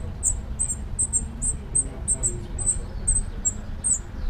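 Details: High, thin, clipped calls from a spotted flycatcher nesting among screws in Dombóvár, Hungary, June 2017, filmed from a window hide; around fourteen notes in four seconds, uneven spacing, faint low rumble beneath.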